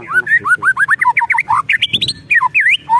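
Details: White-rumped shama in an agitated, emotional state, pouring out quick ketrekan phrases of looping, twisting whistled notes with harsh chattering undertones, dense and continuous.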